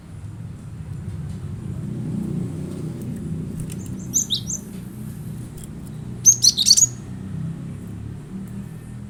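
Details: Cinereous tit song for coaxing a caged bird to sing: two brief bouts of high, thin sweeping whistles, the second a rapid loud cluster, above a rumbling low-pitched background noise.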